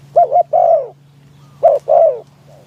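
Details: Spotted dove as a decoy in an open-top trap cage, calling to lure wild doves in strong wind; two coo-coo-croo phrases with slurred, descending final notes, a faint low hum underneath.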